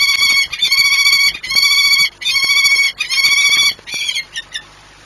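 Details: Courting peregrine falcons at their nest site at Orlen Płock, Poland, 6 March 2021: loud, ringing, strongly harmonic wails in sustained bursts under a second long, with short gaps between, then a few fading notes.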